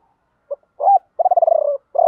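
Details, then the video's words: Spotted dove decoy singing the 'gọi ba hậu' lure call: soft low hoots build into a vibrating, rolling coo, followed by another burst. "Chim cu gáy mồi gáy gọi ba hậu, nhiều anh em bảo là bổ ba"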